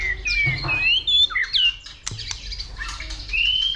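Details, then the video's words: White-rumped shama in fighting song, excited by a female: loud rising whistles and slurred warbled notes, fast overlapping phrases with sharp clicks, another shama faintly answering, steady low hum beneath. "Chòe lửa kích lửa DÌU BỔI,tạch liên tục đập đuôi kích chòe lửa lên lửa hót đấu"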